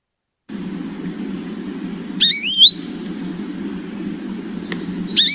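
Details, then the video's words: An American Goldfinch in September gives its rich, slurred, rising 'baby' calls, common at this time of year: a quick run of three high notes, then another starting at the end, over a steady low traffic rumble. "The other call that the American goldfinch does very often this time of year is the baby, which is a very rich kind of like slurred baby call."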